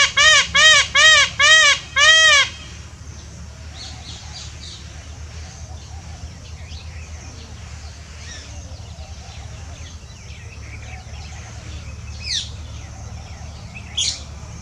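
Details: Peacock calling while dancing: five short, loud, arched honking cries about every 0.4 seconds. Quieter chirps of other birds and a steady low hum follow.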